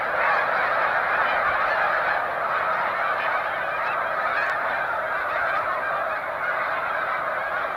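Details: Large flocks of Snow Geese resting on Cayuga Lake, New York, during spring migration on 20 March 2021. A dense, continuous chorus of overlapping honks from many birds, with no pauses.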